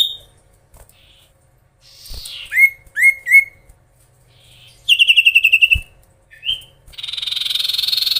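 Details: Singing Oriental magpie-robin used to provoke opponents: after a quiet start, downslurred whistles, a rapid metallic trill, a short rising note and a closing harsh buzzing stretch.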